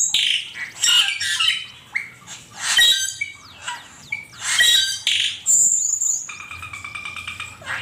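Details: Songbird training recording of an Asian pied starling, rapid loud chatter of squawks, chirps and whistled slurs in repeated bursts, ending with a buzzy rattling phrase.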